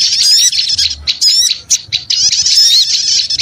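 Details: Busy small-bird lure sound, a short burst of shrill chattering and twittering with quick rising and falling notes and a few brief dips in volume.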